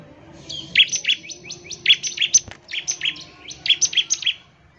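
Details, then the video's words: Bar-winged prinia in fast, vigorous song meant to draw other birds into singing, a steady string of bright, high chip notes rattled out without a break for nearly five seconds. "CIBLEK GACOR, NEMBAK NGEBREN UNTUK MEMANGGIL CIBLEK CEPAT BUNYI GACOR"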